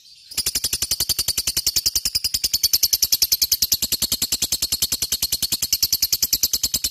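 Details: Gacor lovebird performing a long ngekek, intended to stimulate other lovebirds: after a brief quiet start, a sustained, rapid, evenly pulsed high chatter continues for over six seconds without pause.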